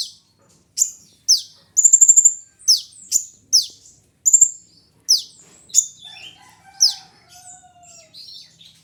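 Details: High-pitched sunbird song from a kolibri ninja: a rattling trill followed by a regular series of steeply falling squeaky notes, fading into softer twitters.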